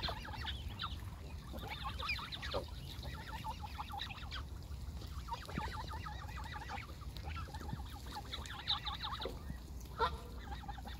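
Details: Young Canada geese gathered close around the recorder give many overlapping short, harmonic calls in quick irregular bursts, with a steady low rumble of background noise throughout.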